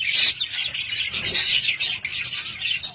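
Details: Budgerigars at home give bright chirps and buzzy warbling phrases, ending in a clear high whistled squeak, amid steady overlapping twitters.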